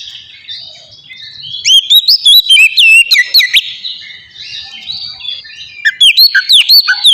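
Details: Oriental magpie-robin singing in the loud, varied ngeplong style used as a lure to get captive birds singing: sharp high whistled notes sweeping up and down in quick bursts, fast chattering trills, brief pauses, then renewed rapid phrases.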